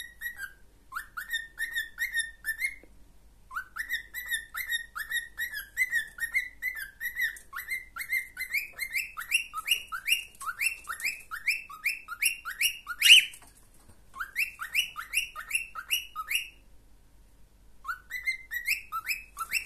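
A pet cockatiel whistles a quick, repeated run of rising, chirpy notes with brief pauses.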